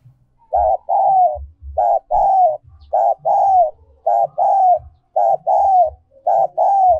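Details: Spotted dove decoy song in the 'giọng còi' style, also called 'giọng kim': mid-pitched cooing phrases, a short note then a longer falling one, repeated about once a second, with soft low thumps beneath.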